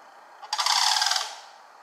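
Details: Sandhill crane from a family foraging and calling, Kalamazoo, Michigan, 11 July 2018: a single harsh, rolling rattle under a second, loud and rough-textured, over a quiet background.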